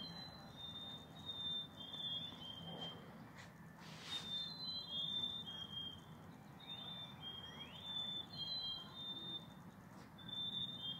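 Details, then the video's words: A group of black-capped chickadees singing to each other: pure whistled two-note phrases, a higher note then a slightly lower one, repeated by several birds over steady low background rumble and a brief noise burst. "Group of black capped chickadees singing"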